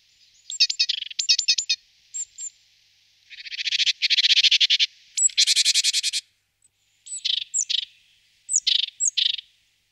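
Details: At a nest box it is moving into, a great tit gives quick, clipped notes, then two long, harsh, buzzy rattles, followed by separate sharp, downslurred chirps in small groups.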